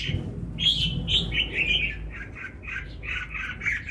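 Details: Red-whiskered bulbul in Ba Vì, Vietnam, giving quick, rounded chirping notes in a steady stream over a noticeable low rumbling background.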